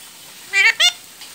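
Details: Pet ring-necked parrot talking: two short, nasal, speech-like syllables in quick succession, the second slightly higher, followed by a faint trailing note, in a quiet room.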